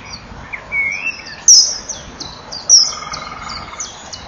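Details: A male common kingfisher flies past the nesting bank at 18:06 on 21 April 2012, after the female has entered the nest tunnel, calling with shrill, piercing high whistles.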